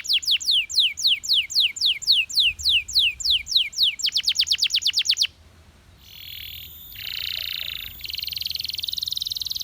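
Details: Belgian canary, a male, singing in a recording meant to prompt other canaries to sing: a row of falling whistled notes about two per second, then a fast trill, followed by buzzy rolling tours.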